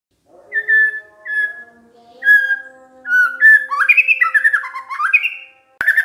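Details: White-rumped shama song used as a lure to prompt other shamas to answer: long clear whistles near one pitch, then a rising burst of rapid, varied warbled phrases; a faint steady low tone underneath.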